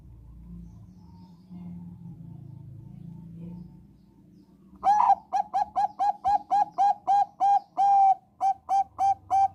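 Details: Bangkok-type zebra dove singing, used as a lure for other doves: after about five seconds of quiet, a loud run of short, clipped, even coos repeated about four times a second.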